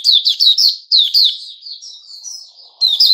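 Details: Sooty-headed bulbul recorded 10 July 2021: a quick string of loud, descending chirpy notes trailing into a long thin fading tone, then a fresh burst.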